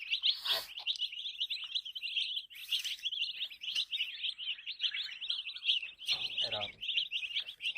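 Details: Colorful baby chicken chicks chirping together: a dense, continuous stream of high, rapid peeping notes overlapping almost without pause, with a few brief louder broadband rustles or bumps.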